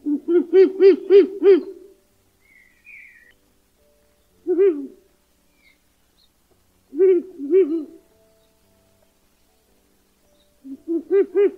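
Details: Ural Owl (Strix uralensis) giving deep, hollow hoots: a quick run of five or six, then short pairs and another run, separated by silent pauses.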